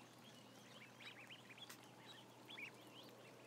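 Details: Roughly a thousand ducklings: bursts of looping, arched peeps repeated rapidly, several birds overlapping, one brief broadband click midway, steady low hum beneath.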